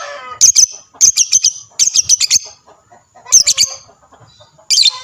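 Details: Lovebird chatter meant to provoke answers from other lovebirds: rapid bursts of four to five shrill, high chirps, each burst separated by about half a second to a second of quiet.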